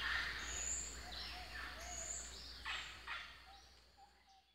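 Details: Common green magpie in natural habitat, uttering several rough, broadband rasping calls spaced unevenly over a few seconds, with thin high whistles from other birds and a steady low hum behind.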